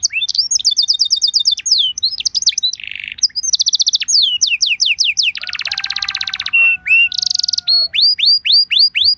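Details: Canary training song meant to make a caged canary sing back, with rapid descending whistles, dense trilled rolls, a harsh buzzing rattle and then evenly spaced rising slurred notes.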